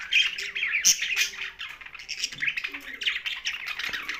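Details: Budgerigars housed with a parrot chatter in a noisy mix of raspy chirps and short squeaky warbles, with a few louder sharp notes, over roughly four seconds.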